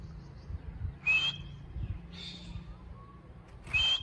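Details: Ring-necked parakeet kept at home as a talking bird makes three short raspy, whistled syllables spaced about a second apart over a steady low hum.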